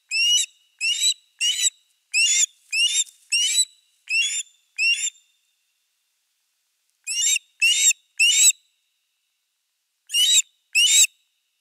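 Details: Ospreys at Finnish nest cam #3 on 4 August 2024, with a fish at the nest, give bursts of shrill, high whistled notes, roughly two per second in a run of eight, then shorter groups of three and two after pauses.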